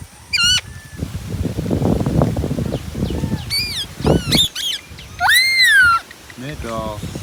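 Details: Ringneck parrot uttering a few sharp squawks, a dull noisy passage, then a long loud arched screech and a fast stuttering rattle of notes.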